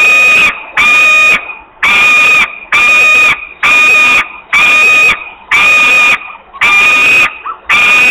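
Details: Very hungry osprey in Włocławek, Poland, midday 8 August 2021, giving long begging screams: nine harsh, steady-pitched cries in regular rhythm, roughly one every 0.9 seconds.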